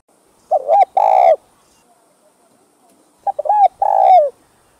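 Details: Cooing spotted dove (cu gáy), used for stimulating birds: two phrases, each a short double hooked note leading into a drawn-out hoarse coo, separated by quiet.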